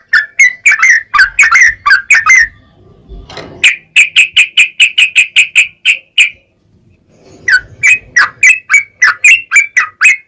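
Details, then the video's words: Yellow-vented bulbul, used as a provoking lure for other bulbuls, singing in three bursts: a bubbly chatter, then an evenly spaced row of clear sharp notes, a short silence, then more rising chirps. "SUARA TRUCUKAN GACOR ROPEL PANJANG PAncingan TRucukan Agar Bunyi"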